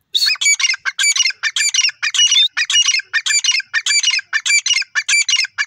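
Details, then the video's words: Teetar (grey francolin) calling loudly in a fast, insistent series of harsh, squawking phrases, about two per second, sustained without pause. "titar ki awaj desi irani teetar birds wonderful sound"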